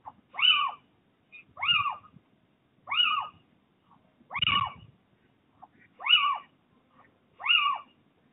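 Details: Little owls mating on a roof ridge on 29 January 2023. One clear, harmonic, mewing call rises then falls and repeats about every 1.4 seconds, six times, with soft faint notes between, over quiet surroundings.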